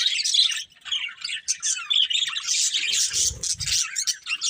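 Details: Budgerigars, a colourful breeding pair, chattering with fast, scratchy chirps and whistled squeaks, while a short low rumble sounds near the end.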